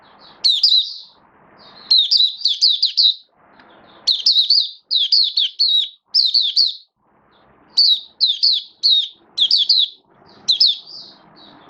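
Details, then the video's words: Hobby-kept oriental white-eye singing to build up form, recorded 19 September 2022: repeated volleys of sharp, high, rapidly stuttered chirps with quiet pauses between, faint low room noise underneath. "Mata Puteh V2 Raja Buka Sing Build Up Form"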